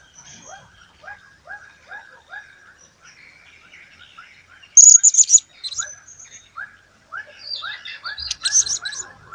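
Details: Blue-crowned hanging parrot bursting into loud, piercing, very high squeaks at mid-clip and again near the end. Steady lower downslurred chirps repeat rapidly throughout.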